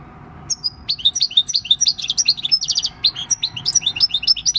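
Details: Wild-caught six-year-old European goldfinch in "El Carbonero" countryside song, dated 26 December 2019: continuous liquid twittering with rapid high trills and short whistled notes, steady and unbroken.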